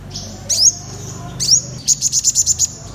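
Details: Purple sunbird song: two high rising sweeps followed by a rapid even run of about eight sharp ticking notes, all very high and thin.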